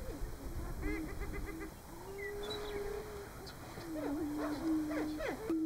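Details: Greater prairie-chickens, males displaying at a booming ground (lek) in Nebraska in March, give low, hollow, moaning booms that swell and fade, mixed with higher rising whoops and cackles; meadowlark song also heard, brief human voice.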